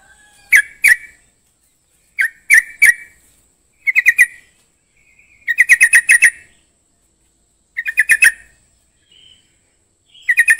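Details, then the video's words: Yellow-vented bulbul (trucukan), played to get a silent bird singing: repeated short bursts of quick, bubbling notes in groups of two to six, with brief silences between the phrases. "Trucukan bisu djamin langsung GACOR"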